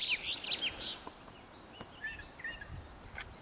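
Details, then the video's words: Brown thrasher vocalizing, its call described as beautiful and complex: a burst of varied, rich chirped and slurred notes in the first second, then quieter scattered whistled phrases against faint background hiss. "Brown Thrasher - vocalizing"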